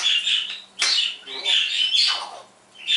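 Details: Pet parrot indoors on a happy morning, copying sounds and words: harsh, high squawky bursts with sweeping slides, in four loud phrases separated by short quiet gaps.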